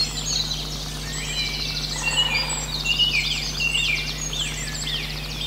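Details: Osprey at a Poole Harbour nest on 26 March at 05:54, Blue CJ7, hatched on a Rutland nest, arriving a day after translocated male 022; rising chirped whistles repeat irregularly over a busy dawn chorus of other birds and a steady low electrical hum.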